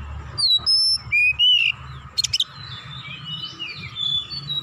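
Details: Oriental magpie-robin, a kacer described as gacor and heated up, agitated and emotional, unloading its full repertoire: a few pure whistled notes at different pitches, then a brief harsh buzzy burst, with faint chattering behind.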